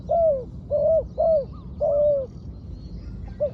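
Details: Trained spotted dove calling at ground level: a series of low, hollow, slightly falling coos, about four in quick succession with a pause before a final short note, over a steady low rumble.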